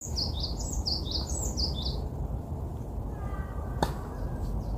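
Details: Bird calling outdoors, a series of quick high descending chirps in the first two seconds over a steady loud low rumble, then fainter notes and a sharp click.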